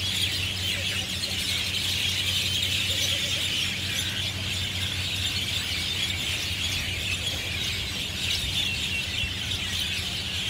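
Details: A flock of mynas, Javan or Jungle Myna, chirping loudly in treetops at the Marina Barrage rooftop, Singapore, on a Sunday afternoon; dense, continuous high chattering chorus with a steady low hum underneath.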